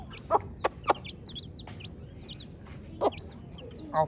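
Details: Scattered shrill cheeps from baby chicks, each a short high slur, interrupted by a few loud clicking knocks and then a quiet gap.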